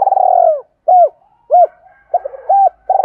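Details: Spotted dove calling to lure wild doves: a long throbbing coo, then three short arched notes spaced about half a second apart, and a new pulsed coo beginning at the end.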